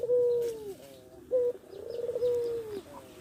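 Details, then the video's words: Learning young Barbary dove gives a long, low coo that sags at the end, a short abrupt note, then another drawn-out coo, all close to the recorder with faint room noise. "burung puter belajar manggung"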